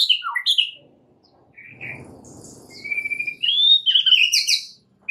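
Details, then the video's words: White-rumped shama lure song aimed at getting other shamas to sing. Sharp chips, a quiet stretch with low rustling, then a long rising whistle and loud jumbled bright notes. "PANCINGAN murai paling AMPUH"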